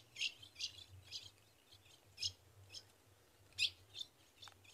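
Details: Female ultramarine grosbeak in the caatinga of Rio Grande do Norte, northeastern Brazil, calling to the male for mating. Short, sharp high chips spaced irregularly, about one every half second to second, with a low steady hum underneath.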